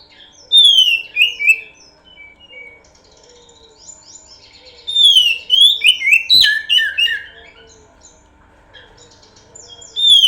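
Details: Oriental magpie-robin singing as a lure bird: a short loud whistled phrase, several seconds of faint soft notes, then a longer run of rich, varied whistles and sharp accents. Another phrase begins at the very end.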